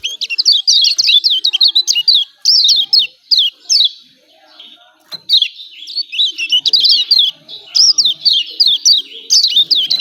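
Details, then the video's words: Kecial kuning, the yellow white-eye of Lombok, calling 'ciak ciak' with emotion. Long runs of rapid, high, zigzagging chirps are broken by a short lull near the middle. "CIAK CIAK JOSS KECIAL KUNING AMPUH"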